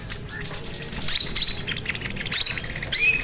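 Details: Short burst of busy crimson sunbird song meant as a lure and master: thin high twitters with hooked whistled notes near the end, over a steady soft background hiss.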